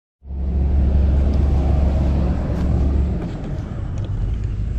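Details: After a brief silence, an engine starts and idles with a loud, deep drone and rumble, and no animal voice is heard.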